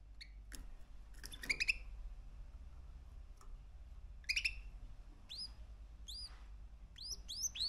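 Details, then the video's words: Male canary aged three months: sparse sharp chirps, then a string of arched, whistled up-and-down notes repeating faster toward the end, with a low background hum throughout. "Kanarya Sesi 3 Aylık Erkek Canary"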